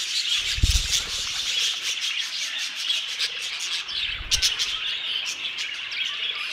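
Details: Many budgerigars chatter in an aviary with steady high chirping and twittering, broken by two bursts of low thumping or rubbing noise near the start and middle.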